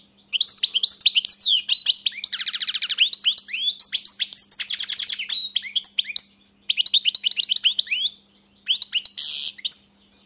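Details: European goldfinch in sustained song: a long flowing run of tinkling twitters, rolling trills and rising whistled notes with barely a pause, then a few final phrases and a buzzy note near the end.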